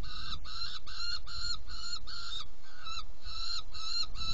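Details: Nest-box saker falcon at feeding time, 17 June 2018, 10:31: a steady series of about eleven hoarse, nasal calls, roughly three per second, each harsh and buzzy, with a low mechanical rumble underneath.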